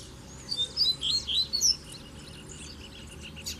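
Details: Double-collared seedeater in the field, a kept pair taken into scrub where a male dueled with a strong wild black male; a burst of quick, high, sweet chirped notes for about a second, then quiet background.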